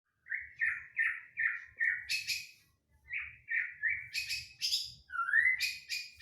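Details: White-rumped shama, locally murai batu, lure recording to make shamas sing: series of quick rising chirped notes broken by harsh, noisy bursts, then a clear upslurred whistle, with faint low rumbling in the background.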